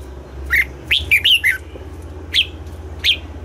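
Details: Morning song of a red-whiskered bulbul being trained for double-note singing. A cluster of four rich, looping whistles is followed by two separate sharp whistled notes, with a faint low hum in the background.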